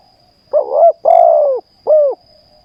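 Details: Spotted dove during ground decoy trapping in Thailand sings three cooing notes: a wavering first coo, a long drawn-out croo, and a shorter closing coo, clear and close.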